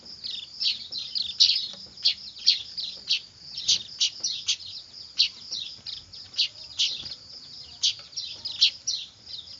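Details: Weaver chicks (manyar) calling noisily, kept as a lure for trapping birds: a dense chorus of high, harsh chirps and short buzzy bursts repeated several times a second, overlapping throughout.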